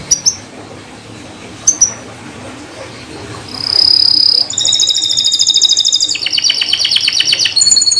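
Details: Atlantic canary lure song meant to restart canaries that have gone quiet: a few sharp separate chirps, then a sustained pure whistle, followed by rapid rolling trills that change pitch in successive sections.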